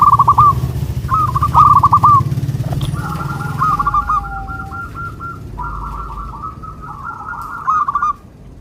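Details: Local zebra dove song aimed at making local doves respond, described as soft and melodious: loud rolling trilled phrases, then long rapid beaded runs of notes, with low rumbling noise in the first half.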